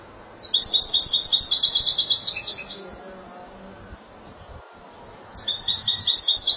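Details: Málaga Spanish goldfinch song: a two-and-a-half-second rapid, jingling trill of high twittering notes, silence with a low hum for over two seconds, then the chattering trill starts up again.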